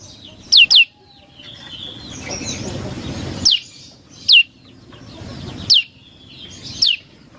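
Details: Prinia song played as a lure call for birds: sharp, high notes sweeping steeply downward, some given as a quick double, others single at irregular gaps of about one second, over a quiet hiss.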